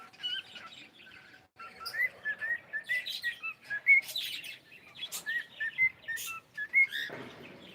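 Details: Pet cockatiel vocalising indoors, a run of short whistled chirps with quick upward slides, repeated in irregular bursts with a pause near the start, mixed with sharp clicking noises.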